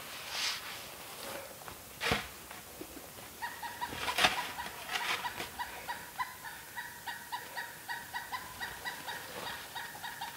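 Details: In snowy winter woods at a camp, a Pileated Woodpecker gives a long run of loud, evenly spaced kuk notes, several per second, then lands on a nearby trunk and flies off; sharp knocks and rustles of camp work underneath.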